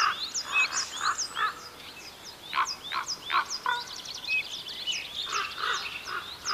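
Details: Young common ravens in France's Côtes d'Armor call with repeated coarse, throaty croaks in uneven runs, a pause midway, while smaller birds chirp busily at higher pitch.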